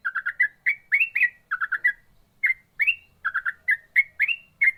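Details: Yellow-vented bulbul (trucukan) singing in ropel style: rapid bubbly clusters of three or four short warbled notes, alternating with rising slurred whistles, phrases repeated with brief pauses; quiet background.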